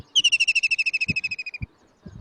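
A White-throated Kingfisher gives a loud, fast whinnying trill of about twenty shrill notes, slowly falling in pitch over a second and a half, with a few soft thumps behind.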